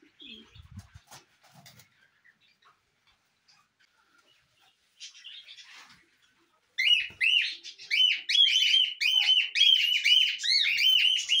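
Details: Cockatiels back in their natural farm setup give a steady stream of bright, chirping whistles, several birds overlapping at about two or three calls a second, after a few seconds of quiet rustling.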